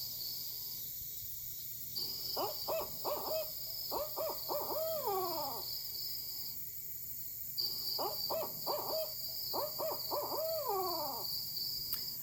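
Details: A female Barred Owl gives rhythmic 'who cooks for you' hoot series, each ending in the long, wavering, falling vibrato that marks females (males cut off sharply), over a steady high hiss.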